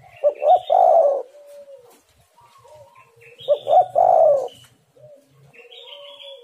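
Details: Spotted dove coo, used as a lure to set wild doves calling: a pair of short hooting notes followed by a drawn-out falling coo, given twice, while other small birds whistle and chirp faintly behind.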